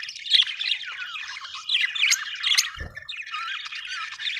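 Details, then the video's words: A flock of happy budgerigars described as Australian birds keeps up a nonstop warbling chatter of wavering squeaks and chirps. A brief low thump is heard midway. "happy budgies chirping sound"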